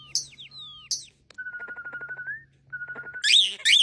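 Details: A starling sings a varied phrase: falling squeaky whistles, then a long level whistle broken by clicking pulses, a second flat whistle, and harsh, scratchy high notes to finish.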